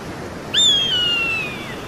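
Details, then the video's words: A single eagle scream, high and whistled, that starts with a brief upward flick and then glides slowly downward for over a second. "SUARA MASTER BURUNG ELANG"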